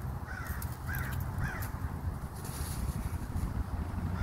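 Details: Crow in Minnesota giving unusual chittering noises: three short, arched, slurred notes in quick succession over the first two seconds, then quiet, with a steady low rumble of wind or distant traffic throughout.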